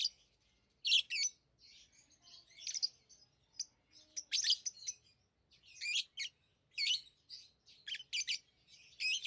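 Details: Pet lovebirds, tame birds, keep up lively, shrill chirping: repeated high, scratchy notes in irregular bursts over several seconds, with short pauses between groups.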